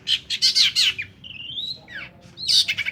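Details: Long-tailed shrike song used as a lure: loud rasping bursts at first, then a long rising whistled note, a quick down-slurred note, and more harsh grating bursts at the end.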